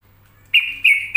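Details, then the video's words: A yellow-vented bulbul gives three clear, slightly slurred whistled notes, evenly spaced about a third of a second apart, against a quiet background. "Trucuk yang Gacor"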